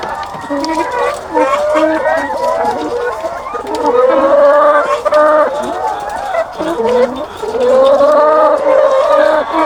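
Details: Thousands of egg-laying chickens on a farm, making loud overlapping harmonic calls. Some calls rise and hold, with a nearby hen prominent among many, in a continuous din.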